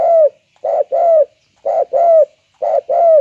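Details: Spotted dove of the banggo and selendang jati types, described as very vocal. Loud, deep cooing phrases repeat about every second and a half, each a short note followed by a longer, falling coo.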